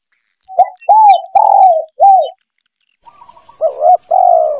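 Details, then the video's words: Spotted dove cooing, a male's lure call used when hunting doves. A quick stutter leads into three smooth, slightly arched coos. After a brief pause, a softer lead-in opens a double note and a long coo. Faint clicks and a high hiss sit behind. "SUARA PIKAT TEKUKUR JANTAN"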